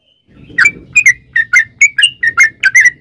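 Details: Sooty-headed bulbul singing, used as a lure to prompt other bulbuls: about ten short whistled chirps, some rising, over a steady low background hum.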